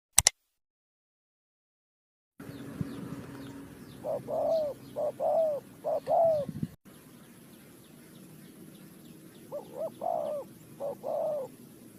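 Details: Spotted dove from bird-trapping footage, Ninh Thuận, Vietnam: after a click and two seconds of silence, two bursts of soft, low coos, each a short note then a longer falling one, over a steady background hum.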